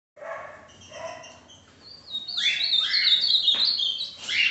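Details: Ultramarine grosbeak (Cyanoloxia brissonii), song.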